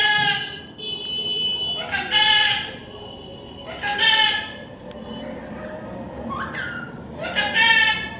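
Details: Young parrot during taming, uttering loud, grating, buzzy screeches of about a second each, repeated four times with short quieter gaps and faint rustling between them.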